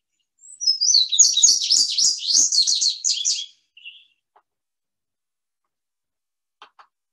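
Indigo Bunting song: a bright, high, three-second run of sweet notes, many paired, sliding down and up, then a lone note and soft clicks.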